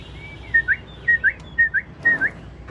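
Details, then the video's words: Captive Chinese hwamei of the 'ngũ trường' singing style, bobbing its head in a lion-dance display: four evenly spaced pairs of short clear whistles, each pair a flat note followed by a quick upslurred one. "Họa mi ngũ trường bộ to hót gật gù múa lân"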